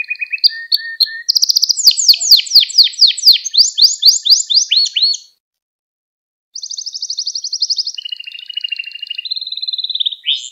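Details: Gloster canary in full song for exciting and training other canaries: opening whistles, then a long fast trill of sweeping notes, a short silence, then steady rolling tours at two pitches.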